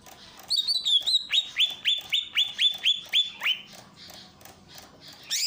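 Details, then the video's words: Greater green leafbird from Ujung Kulon, a masteran training recording with a water fountain: a brief warble, then about ten sharp downward-sweeping whistled notes repeated roughly four per second. "masteran cucak ijo dengan terapi air mancur"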